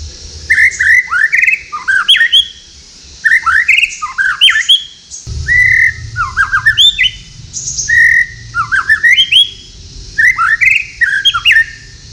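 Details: White-rumped shama singing at night at a breeding farm in Tasikmalaya, Indonesia, with an unusual, lively song: loud phrases of rich whistles, slurred rising and falling notes and rapid trills, repeated every two to three seconds over a steady high hiss.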